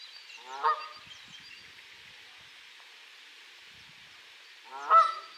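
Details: Canada goose recorded on 25 April 2020 with a Sony RX100 VII: two loud, harsh, nasal honks about four seconds apart, each a single rough drop in pitch, with faint chirping of small birds behind.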